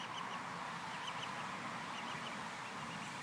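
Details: Swan family on grass, full after being fed, gives soft, high, thin peeps, several overlapping in quick irregular succession over a steady background hiss.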